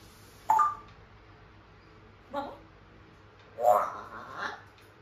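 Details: Pet African grey parrot indoors mimicking human speech: short spoken-sounding syllables, one sharp word, a soft murmur, then a longer two-part phrase, with steady low room hum throughout.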